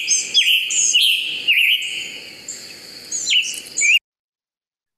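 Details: Scarlet tanager (Piranga olivacea) song: short, hoarse, burry phrases like a robin with a sore throat, about four seconds of quick slurred notes, then silence.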